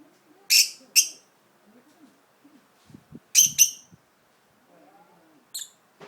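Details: Uneasy budgerigar in an unfamiliar spot gives a few sharp, raspy double chirps separated by long silences. Soft clicks and faint low murmurs can be heard in between.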